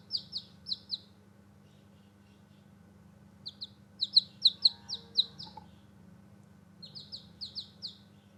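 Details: Newborn chicks outside utter scattered groups of high, downward-slurred peeps, louder in the middle, with a faint low hum and a few quiet background sounds.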